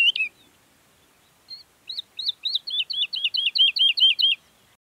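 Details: Woodlark singing in the Sierra Nevada, Granada, Spain: a few short opening notes, then a run of about fourteen liquid, slightly descending whistled notes. The notes repeat quickly and speed up in a rolling series against a quiet background.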